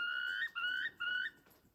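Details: Wild turkeys at a ranch in Westbrook, British Columbia, on September 26, 2023: three clear, rising whistled notes, each about half a second long, given in quick succession.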